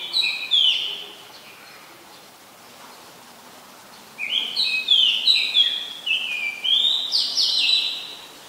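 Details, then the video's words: Oriental magpie-robin (Copsychus saularis), a very common resident, in Ubon Ratchathani, Thailand, on 20 September 2022, recorded with a Nikon P1000. A short whistled phrase opens, then after a pause a run of rich, sliding whistled notes. "นกกางเขนบ้าน (Oriental Magpie Robin)"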